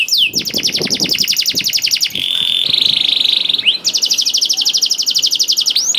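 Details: Canary song used as a lure to make other canaries sing: a fast, rattling trill of repeated notes, a steady buzzy tone in the middle, then the rapid rattle again, all continuous and loud.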